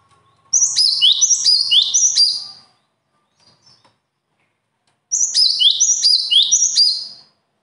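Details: A bird delivers two bursts of high, fast, stacked chirping phrases, about four phrases each. A pause of roughly two and a half seconds separates them, and the background is clean.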